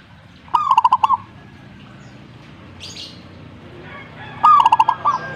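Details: Zebra dove song as a reply, two phrases of rapid, bubbling cooing notes four seconds apart, each a short lead-in then a quick even run, with a distant high chirp between them.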